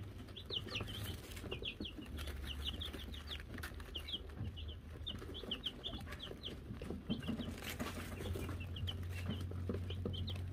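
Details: Silver Laced, Gold Laced and Gold Laced Blue Wyandotte chicks indoors after being given a bell: scattered high thin peeps, each a short rising-then-falling note, over a steady low hum with scratching and occasional clinks.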